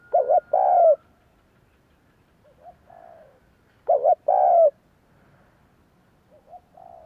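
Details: Spotted dove coos used to stir other doves into answering. Two loud, mellow phrases of quick double notes end in a longer falling coo, about four seconds apart. Fainter, softer coos are heard between them.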